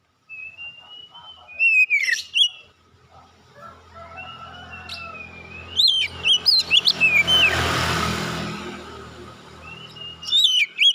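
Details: Oriental magpie-robin, winner of a singing competition, alternating drawn-out whistles with bursts of sharp chirps and slurred notes; a loud noise burst and low rumble intrude midway.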